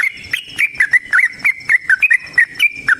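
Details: Fast, chattering song of a sooty-headed bulbul, known locally as trucukan, in the 'tarung ropel panjang' fighting style. About a dozen bright, bubbling whistled notes dip and rise in a steady, rapid run.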